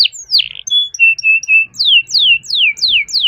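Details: Canary long song used as a prompt for other canaries: a few slurred notes, short flat whistles repeated, then a string of descending swept notes about every third of a second.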